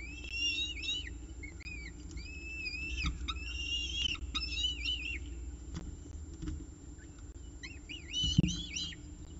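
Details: Peregrine falcon at its nest with breakfast, 19 October 2018; short high arched whining notes in bursts separated by pauses, with scattered clicks and a low background rumble.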